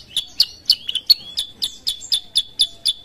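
A sooty-headed bulbul gives a rapid run of sharp, high chirps, about four each second, some with a brief slurred whistle between them.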